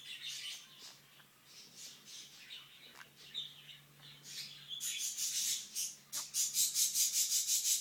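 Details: Pet green-cheeked conure indoors making chirpy sounds: scattered high squeaks, then a fast run of sharp, regular clicking chirps near the end.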